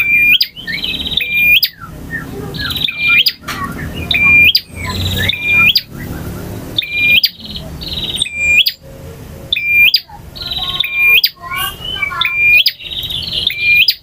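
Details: Long-duration full-variation song of a male bar-winged prinia, styles ngotot, ngalun, variasi and kristal: repeated hooked whistles and buzzy trills about every 1.3 seconds, with a few softer stacked chirps mid-sequence.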